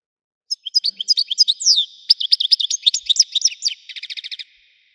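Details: Widani-style song of a European goldfinch: a continuous four-second phrase of quick high twitters, slurred notes and tinkling chirps, closing with a run of evenly spaced, buzzier repeated notes.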